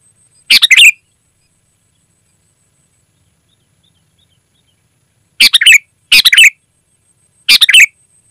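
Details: Sooty-headed bulbul singing persistently, a recording meant to lure wild birds in the forest and train kept bulbuls. Four brief bubbly phrases: one early, then three close together after a long silence. A faint steady high tone runs underneath.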